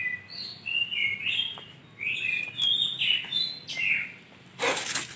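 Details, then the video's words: Lovebird chirping busily and melodiously, a steady stream of high twittering, squeaky whistled notes rising and falling without pause, ending in a brief rough noisy burst. "BURUNG LOVEBIRD"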